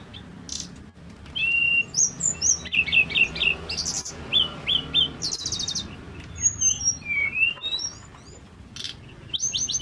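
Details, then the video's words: Male Pygmy cupwing singing in full voice: a lively run of high, thin whistles, short upslurred chirps and a buzzy burst, delivered in quick bursts with brief pauses, over a faint low background hum. "TERLALU KEREN BURUNG SEKECIL INI KALO SUDAH GACOR...TLEDEKAN GUNUNG JANTAN FULL SENYUM"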